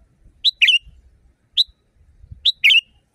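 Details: Sooty-headed bulbul, a loud, natural-sounding training song for caged birds. Three phrases of a short sharp note and then a buzzy, falling trill. The middle phrase is reduced to a single note. Soft low background murmur.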